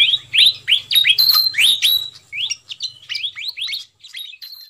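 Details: Fantail flycatcher lure call meant to attract wild birds: loud rising whistled chirps in quick succession, then quieter, spaced upslurred notes, with a low hum early on.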